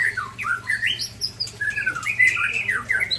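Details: A white-rumped shama from Aceh sparring with another (Ujong Pancu versus Tangse) gives squeaky, swooping whistled phrases in quick succession, rising and falling without pause.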